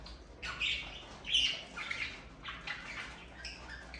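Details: Budgerigars kept as pets, heard in the morning, giving a run of raspy chirps and short squawks about every half second, with a louder scratchy note near the middle and a soft background hum.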